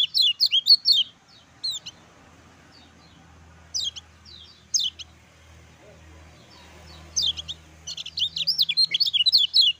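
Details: Master song of a lemon-bellied white-eye for stimulating lazy or silent birds to sing: short high chirp bursts spaced by pauses, building into a dense twittering run near the end.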